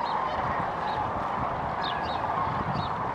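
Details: Migrating sandhill cranes at a late-February stopover near Kearny, Nebraska, a large flock calling together: a dense, continuous chorus of rolling, rattling trumpet calls with no pauses, a few higher notes standing out above the mass.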